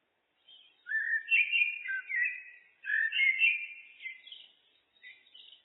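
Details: Common blackbird (Turdus merula) singing: low, mellow fluted warbling phrases that rise and fall, each ending in thinner, higher twittering notes, two phrases over a quiet background.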